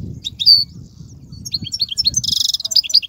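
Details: European goldfinch singing a song meant for teaching fledgling goldfinches: a clear high whistle, quick tinkling twitters, then a grating buzzy trill and further chirpy notes, over faint low noise.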